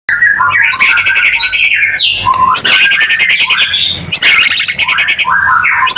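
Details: White-rumped shama in full, energetic song, used to prompt other shamas to sing. A loud, varied run of clear whistled phrases is mixed with harsh, buzzy, rapidly pulsed bursts, with almost no pauses.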